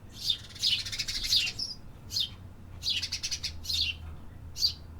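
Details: Birds of the city calling busily: dense runs of rapid, high twittering chirps in several bursts, with a low hum underneath.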